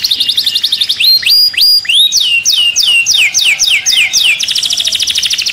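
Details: An agitated canary sings from its cage: clear whistles, then paired sharp upslurred notes and a run of rapid descending chirps, finishing in a fast trill.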